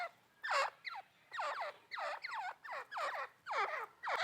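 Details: Female grey francolin (teetar) calling: a quick run of harsh, downslurred notes rich in overtones, delivered about twice a second, some notes paired, over a quiet background.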